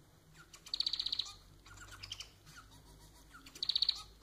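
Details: A pet society finch sings two rapid buzzy trills of evenly spaced high pulses, about three seconds apart, separated by soft scratchy chatter, against a faint continuous whine.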